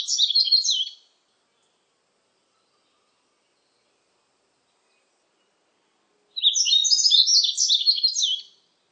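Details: Yellow-throated bunting song from a 2020 Korean National Institute of Biological Resources recording: the tail of one high twittering phrase, over five seconds of silence, then a full two-second burst of rapid, tinkling notes.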